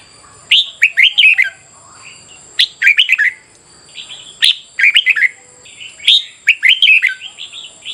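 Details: Red-whiskered bulbul singing in competitive style for morning voice training: quick clusters of clear, bouncy whistled notes delivered in separate bursts with short pauses, a constant thin high tone humming behind.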